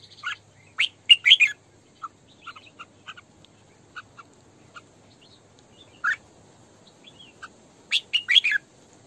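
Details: Decoy female red-whiskered bulbul singing 'sổ bọng căng' style, used for training bulbuls to sing and for trapping: scattered sharp chirps and quick tumbling note bursts, with louder clusters near the start and end over a quiet background.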